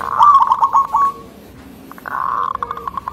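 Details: Local zebra dove with a thick, rhythmic voice, known for provoking other zebra doves, opens with a rapid rolling coo trill, falls quiet, then gives a softer, uneven run of notes.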